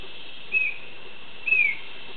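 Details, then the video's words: A male Chestnut-backed Antbird sings at La Selva Biological Station, Costa Rica: two clear, high whistled notes about a second apart, each sliding slightly downward, over a soft steady hiss. "Chestnut-backed Antbird song"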